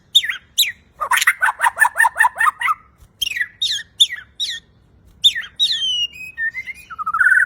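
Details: Champion Bornean white-rumped shama in lively, clear song full of variations. Rapid rhythmic churring notes come in quick series, then high chips and a falling whistle, ending in a low trilled phrase.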